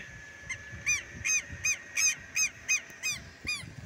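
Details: Southern lapwing on a Brazilian country smallholding, calling at an approaching person; loud harsh nasal notes repeated evenly about every third of a second, clear above faint low background noise.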